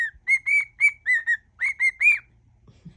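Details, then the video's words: Pet cockatiel whistling a medley of songs: eight or nine quick, bright whistled notes in a steady tune-like run, then a faint low sound at the end. "whistling cockatiel"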